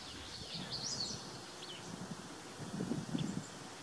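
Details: A purple finch sings from a cedar in mixed forest near Desbarats, Ontario, roughly 15 meters off, captured with a Nikon P610. A quiet, fast warbling run is followed by a single slurred note, with low rustling and handling noise.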